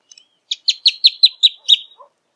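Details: A rufous hornero gives a short series of about seven loud, shrill, evenly spaced notes, each falling slightly, in a clean recording.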